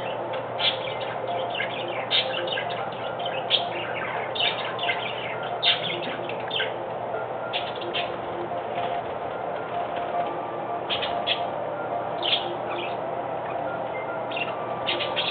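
Budgerigars chatter steadily with quick chirps, squeaks and warbles.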